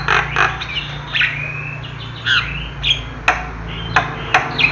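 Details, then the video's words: Natural song of a Javan myna: harsh squawks and sharp clicks alternate with clear upslurred and downslurred whistles, delivered in uneven bursts over a low steady hum. "Kicau Jalak Kebo"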